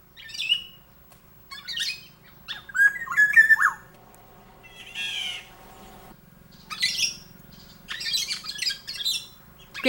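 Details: Black-naped oriole in Korea, in breeding season, with males singing to court females, gives a brief fluty, liquid whistle among harsh, nasal squawking bursts every second or two, over a low steady hum.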